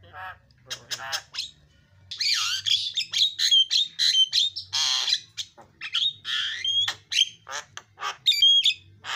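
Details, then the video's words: Javan myna (jalak kebo) delivering isian filler song used to coax birds into singing: a nearly continuous stream of harsh squawks, rasping chatter and sharp whistled squeaks, with several clear whistles near the end. "JALAK KEBO KICAUAN PALING KREN SUARA ISIAN"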